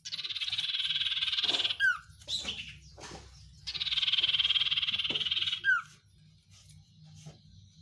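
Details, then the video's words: Sirtu, or Oriental white-eye, in a song called richly filled with isian phrases: two long buzzy trills, each ending in a quick downslurred note, with soft chirps between, over a constant low hum. "sirtu isian luber banyak pedes"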